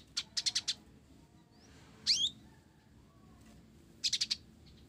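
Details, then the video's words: Sparrow-style song fill from an actively singing blorok olive-backed sunbird: a fast burst of four high ticks, a rising then falling slurred chirp, then another rapid tick cluster. "Kolibri Ninja Blorok Gacor isian Gereja"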